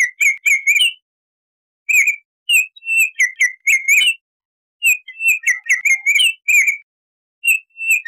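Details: Flutey whistled phrases from a Baltimore oriole, with clusters of slurred notes repeated after short silences throughout.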